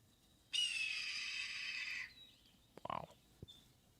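A Red-tailed Hawk gives one long, hoarse, rasping scream lasting about a second and a half, trailing slightly downward, followed by a brief lower sound.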